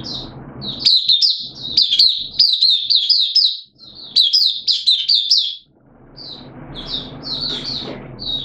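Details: Caged oriental white-eye singing in open song: long runs of rapid, sweet, high twittering notes strung tightly together, a quiet gap near the middle, then sparser chirps over faint background rumble.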